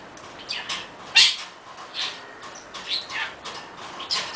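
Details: Pet budgerigar chattering excitedly while swinging itself on a swing, a run of short scratchy chirps and chatter notes spaced irregularly, with one sharper bright chirp near the start and soft rustling between notes.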